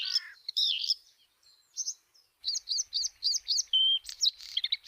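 A Bluethroat sings a quick, varied run of high chirps and twangy, repeated notes, with a brief pure whistle and scratchy phrases near the end.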